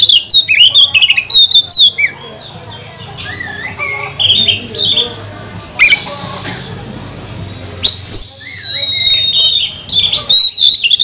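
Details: Kacer lure recording to stir other Oriental magpie-robins to sing; rapid sharp chips, a quieter stretch of soft warbles, then a long, steady, ringing whistle with strong overtones before more quick notes.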